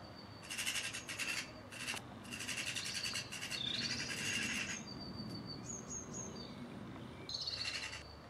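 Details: Mistle thrush family of two parents and three juveniles visiting a garden; dry, harsh rattling bursts, one long rattle of over two seconds, with a few thin high whistles and chirps from other birds in between.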